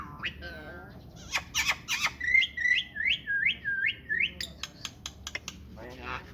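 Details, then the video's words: Myna kept as a talking bird, giving a varied string of squawks and whistles, then a run of about seven rising, repeated whistled notes near the middle, followed by sharp clicks and a short harsh burst. "speaking myna"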